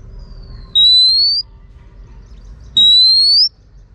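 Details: Female Oriental magpie-robin calling to stimulate males, giving two long pure whistles that rise steadily in pitch, about two seconds apart, against near-silent background.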